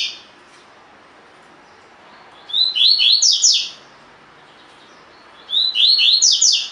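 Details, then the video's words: Collared seedeater, tui tui fibra song type, recorded as long-play training audio for caged birds: two identical bursts of fast descending whistled notes, separated by about three seconds of quiet. "COLEIRO DE GOLA TUI TUI FIBRA (8 Horas Encarte)"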